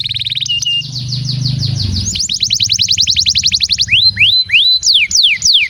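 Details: Canary song meant to prompt other canaries to sing, with a buzzy steady note, a long rapid trill of rising-falling notes, then spaced loud downward whistles.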